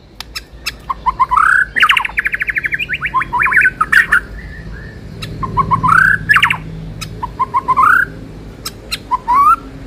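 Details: White-rumped shama singing as a training lure for a contest-ready bird: varied loud whistled phrases, rising slurred notes and rapid trilled bursts, some clear ringing notes, delivered in repeated bursts with short pauses.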